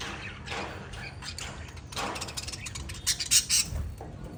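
Budgerigars give scratchy, high chirps and short squawks in quick, uneven bursts.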